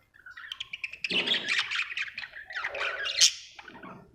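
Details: Happy budgie chattering with grating squawks and warbled chirps mixed with lower rough notes, one sharp high squeak near the end, over faint background rumble.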